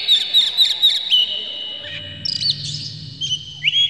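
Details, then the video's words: Oriental magpie-robin (kacer) singing to provoke other magpie-robins into song, described as fired up, opening its tail, its song full of fill material. Four short high whistles come about four per second, then varied warbled whistles and a sustained whistled note over faint low hum. "dijamin kacer langsung ngamuk2 dengar kacer ini bongkar emosi buka ekor ngobra full isian"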